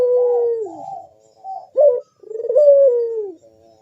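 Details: Puter collared dove in gacor bekur voice, played to draw other doves into song: a long steady coo ending low, a brief pause, a sharp clipped note and another extended downward-gliding coo.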